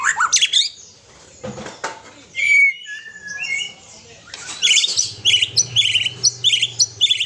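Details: Aceh-type white-rumped shama, kept with a companion, mixing short bright whistles and slurred notes with a burst of rapid, high, chattering phrases repeated in quick succession near the end.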